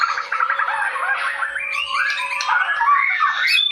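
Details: White-rumped shama, a bird said to dance, singing a continuous run of varied slurred whistles and warbled notes, rising and falling, with a steady low hum underneath.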